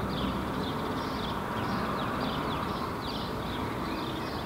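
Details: Northern lapwing vocalizing while taking off from foraging in a Helsinki park, Finland, June 2016. Thin, wheezy, downward-slurred cries recur roughly every second, half buried in heavy steady urban traffic noise.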